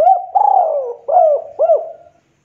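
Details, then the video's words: Spotted dove giving a loud, clear cooing song: a short opening coo, a longer falling coo, then two shorter rounded coos, all low and mellow across about two seconds, recorded clean with no other sounds. "Pancingan Suara Tekukur Gacor Suara Jernih"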